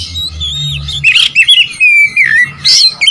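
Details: Oriental magpie-robin song intended to provoke rivals. Buzzy chirps lead into long, clear whistled notes that waver and fall, then a sharp burst of twittering.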